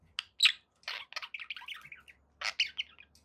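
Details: Pet budgerigars give separate sharp chirps, then a rolling warbled phrase of descending notes, followed by more scratchy chirps.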